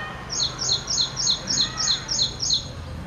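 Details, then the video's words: Ashy wren-warbler (Prinia socialis) delivering a steady run of about nine high, clipped, downward-slurred notes repeated evenly some three times a second, with a faint low background hum. "Ashy prinia or Ashy Wren Warbler - Call,song"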